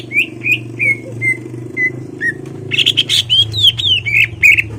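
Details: Greater green leafbird in a cage singing to goad a rival into a fight: a series of short whistled slurred notes, then a busier burst of buzzy and whistled phrases, with a low mechanical hum beneath.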